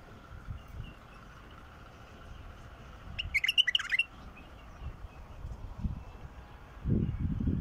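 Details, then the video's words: A wild bulbul's song, used to get silent bulbuls singing, gives one quick burst of bubbly, whistled notes lasting about a second, over low rumbling background noise and occasional thumps. "تغريد بلبل وحشي"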